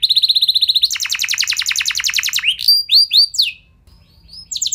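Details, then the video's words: Canary in full song, used to excite other canaries into long rolls: a very fast trill jumps to a higher rapid trill, then a few slurred whistles, a brief pause, and more notes. "Ampuh Buat Merangsang Emosi Burung Kenari Lain Biar Gacor Ikut Ngeroll Panjang"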